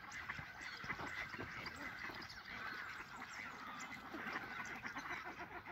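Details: Chilean flamingos in a captive flock at WWT Slimbridge during courtship display, March 2020: a dense chorus of overlapping nasal, honking calls from many birds, continuous throughout with no pauses.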